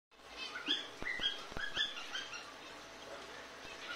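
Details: Male cockatiel singing short, bright chirps and whistled notes, mixed with sharp clicks and tapping.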